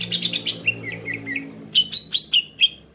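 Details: Cucak ijo call played as a lure for trapping other birds: a rapid series of short clicking notes, then sharp downslurred whistled chirps repeated about five times, with a low steady hum beneath.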